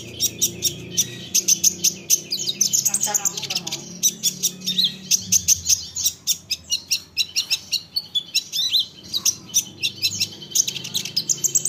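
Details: Olive-backed sunbird song meant to trigger replies from other sunbirds: a continuous stream of high, sharp chips and squeaky twitters at a brisk, regular pace, with a low hum underneath.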